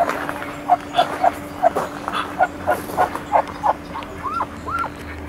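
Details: Muscovy ducks in a mating ritual at Icod de los Vinos, Tenerife, Canary Islands, give a run of short, soft yelping notes, several a second, ending in two rising squeaky upslurs, over a steady low hum.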